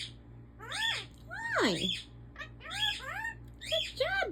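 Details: A pet African ringneck parakeet talks in short, nasal, speech-like bursts, saying phrases like "hi", "peekaboo" and "what are you doing": a few quick words, one long downward-swooping syllable, then more clipped phrases.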